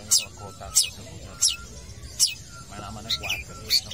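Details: Long-tailed shrike in full song at a football field, giving sharp, high downward-slurred notes about every two-thirds of a second, with softer twittering near the end and a low hum behind.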